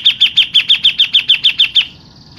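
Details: Grey-cheeked bulbul, a local bird, in a long rolling 'ngerol' burst: a dozen evenly spaced, sharp, high chirped notes in rapid succession, ending abruptly into quiet.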